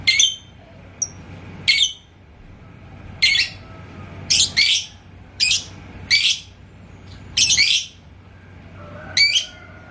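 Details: Yellow lovebird (labet koneng) kept in Indonesia, singing lively after being provoked by a rival bird's song: harsh, high, shrill chattering bursts about every one to two seconds, each under half a second, in a quiet room.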